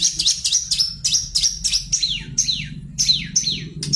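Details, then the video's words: Long-tailed shrike in energetic song, used as a lure to make birds sing: quick repeated high notes, many sliding sharply downward, roughly three to four per second, against a persistent low rumbling hum. "pancingan burung pentet gacor"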